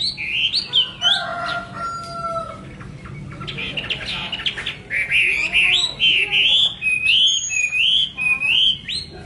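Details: Chinese hwamei in full song: long varied sequence of loud whistled phrases, some sustained and some rising, later settling into a rhythmic series of looping notes repeated about every half second.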